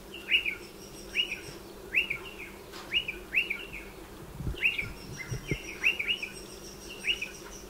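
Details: Striated pardalotes calling around nesting burrows dug into a dry stone wall; short, bright upswept two-part notes repeated roughly every half second to second, with a faint steady hum beneath.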